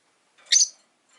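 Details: One harsh, high, buzzy chirp from caged rosy-faced lovebirds, five birds kept indoors beside a window, heard during a quiet afternoon.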